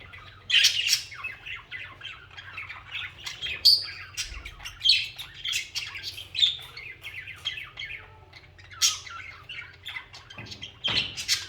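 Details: Social pet budgerigars in song, a long run of scratchy chatter with squeaky clicks and short buzzy warbles, bursts of louder squawks scattered throughout, over a soft low background hum.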